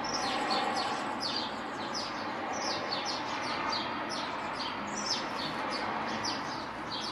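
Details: Great tit song recorded on 6 April, a busy stream of high, short, downward-slurred notes repeated rapidly, about four per second, over a constant low rumble of background noise.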